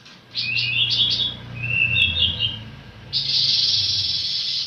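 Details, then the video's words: Pancawarna bird delivering quick whistled chirps and a gliding slurred phrase, then breaking into a loud continuous buzzy rattle. "suara burung pancawarna"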